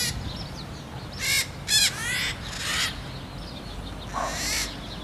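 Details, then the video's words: Red-shouldered macaw at Araguari, Minas Gerais, Brazil, in open field and cerrado habitat: a handful of harsh, raspy screeches scattered across a few seconds over a steady low rumble. "Maracanã-pequena(Diopsitta nobilis)"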